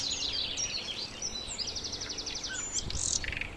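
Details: Sikatan londo flycatcher in full song, kept as a master recording for training cage songbirds: dense, high, continuous warbling with slurred whistles and a quick buzzy trill in the middle, ending in a loud burst.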